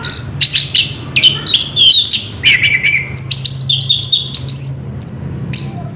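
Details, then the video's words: Orange-headed thrush pouring out ngerol song: fast chattering phrases flowing into descending whistled slurs, ending with sustained thin high notes; the loud performance continues without a break. "Burung Anis kembang ngerol edan luar biasa"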